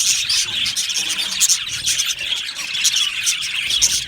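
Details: Aviary colony of Australian budgies, lively high chatter with sharp whistled chirps popping out above the constant warbling of the flock.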